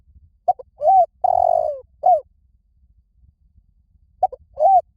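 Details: Spotted dove coo phrase used to lure wild doves: short stuttered notes, an arched coo, a long vibrating note dropping in pitch, and a closing falling coo, then a pause before the phrase starts again.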